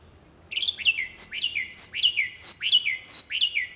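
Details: Lively song of a jalak uret starling: after a moment of quiet, a run of about six similar phrases, each a sharp downward-slurred whistle with buzzy overtones, repeated roughly every two-thirds of a second.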